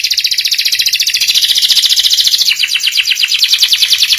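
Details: Canary master song for young canaries to learn, a loud, fast, even rattling trill of high notes repeated about three to four times per second, sliding slightly lower midway.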